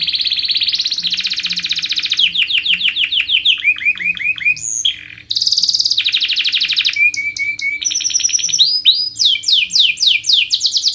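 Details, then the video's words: Canary training song for young birds: a high rattling trill, series of downslurred whistles, a short silence, another buzzy trill, flat held tones, then bright swooping chirps in quick succession. "KENARI GACOR PANJANG Rol Rapat EMOSI Cuit cuit Ngerol AMPUH utk Pancingan kenari paud belajar bunyi"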